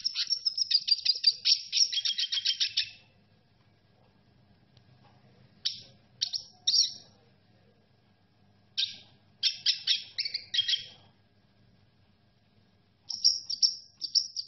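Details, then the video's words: Red siskin song in bursts: a rapid run of sharp, high twitters lasting about three seconds, then silence, then short buzzy phrases and twittering bouts separated by pauses of a few seconds. "ما شاء الله لن تصدق جمال صوت تغريد السيسكن الاحمر - Unbelievable Amazing Red siskin song"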